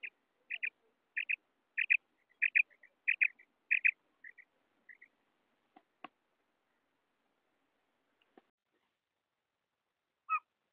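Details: Female quail (batair) calling, a sound used to lure quail for hunting in Pakistan: short high paired notes repeated about every half second, then fading; a few faint clicks afterwards.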